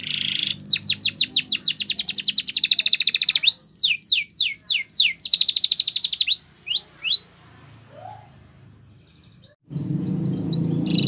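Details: Canary training song opening with a short note, then a long rapid trill of falling sweeps, followed by spaced upslurred whistles and a quiet pause before a burst of background noise at the end.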